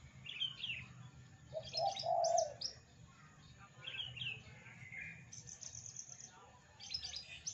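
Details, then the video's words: Javan bush lark singing loud, varied mimicry of other birds such as prinia, canary, shrike and bulbul. Mixes short high chirps and trills with a burst of lower, hoarse warbling notes, then more scattered high, bright phrases over a low background hum. "BRANJANGAN UNIK Suara aneh pariatif volume dahsyat"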